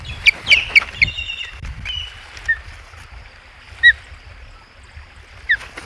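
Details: Ospreys, three birds crowded at the Hog Island nest in August 2020, giving quick bursts of shrill, downslurred whistled chips, dense at first, then scattered single calls, with low rumbling background noise.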